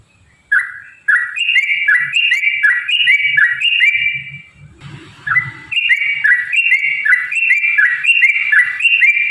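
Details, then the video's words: Yellow-vented bulbul, song used as a lure for other bulbuls to sing: bouncing whistled two-part phrases repeated steadily, interrupted midway by a brief burst of rustling noise, then resuming. "kicau burung trucukan gacor cocok untuk pancingan trucukmu"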